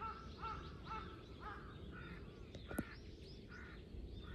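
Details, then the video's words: Crows calling, part of three crows mobbing a hawk, recorded 21 October 2023: a run of harsh, nasal caws repeated about every half second, with a sharp click near the middle and a steady background hiss. "3 crows vs hawk ,カラス,까마귀"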